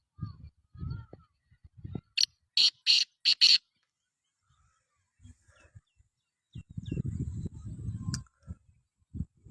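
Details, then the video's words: Black francolin from Sindh, Pakistan, giving a rapid run of four harsh, rasping, noisy notes. Human voices and low rumbling come before and after the call. "Sindhi Kala Tetar Awaz"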